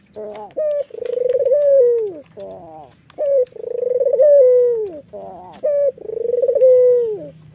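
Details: Nodding white red-eyed Barbary dove gives its laughing coo three times. Each phrase is a short level note, then a long vibrating coo sliding down in pitch, in a steady, even rhythm.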